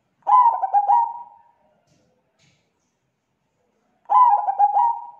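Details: Lure call of a zebra dove, thick and clear, used to attract others of its kind; two short identical phrases about four seconds apart, each a rapid stutter of notes sliding into a steady low coo, silence between.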